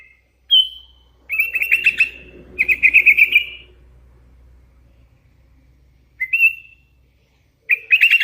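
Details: Singing young hand-reared Sooty-headed bulbul delivers brief clear whistles and longer warbled, chattering phrases in separate bursts with pauses between them, over faint low background hum.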